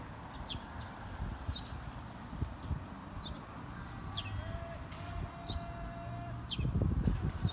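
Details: Sparrows calling unseen from trees by the river at Kanazawa-Hakkei, Japan, beside riverside cherry trees, mid-afternoon on 11 May 2019; sharp, high chirps roughly once a second, a faint steady tone, and a burst of low clattering near the end.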